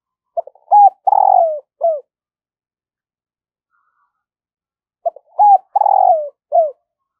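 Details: Decoy spotted dove calling in the morning to lure wild birds: a phrase of short clipped notes, a long burry coo that falls, and a final short note, repeated twice with silence between.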